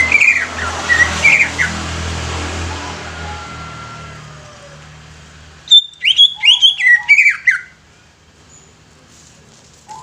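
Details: Greater green leafbird, called cucak ijo, singing: after a noisy, fading start, a bright burst of varied whistled and chattering notes runs quickly for about two seconds, high and clear against a quiet background.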